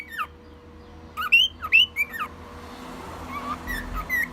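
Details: One-year-old male pet cockatiel imitating sounds: a few loud upswept whistles, then softer scattered whistled notes against a rising hiss of room noise.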